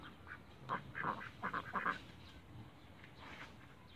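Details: Cayuga ducks kept in a backyard, giving a short burst of five or six loud nasal quacks in the middle of the clip, then quieter calls against a soft background hiss.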